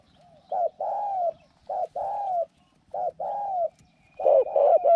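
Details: Decoy spotted dove, reportedly small-voiced and a strong cooer, set out to attract wild doves to a trap cage; three short-then-long coo pairs at a slow pace, ending in louder overlapping coos with a faint steady whistle.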